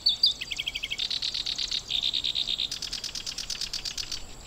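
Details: Breeding Black-browed reed warbler in grassland at Watarase retention basin, Japan, nesting on eggs; brisk song of quick high chips, then runs of fast repeated buzzy notes changing pattern every second or so.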